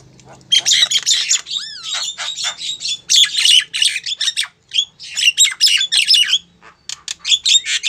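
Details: Javan myna female calling a male, lure sound: dense, loud rasping chatter with an inserted rising whistled slur, continuing in harsh bursts with brief pauses.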